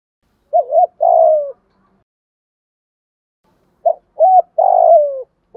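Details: Spotted doves, male and female, calling to stimulate newly caught birds. Two phrases, each a quick doubled coo followed by a longer, slightly trilled coo that slides downward. A quiet pause separates the phrases.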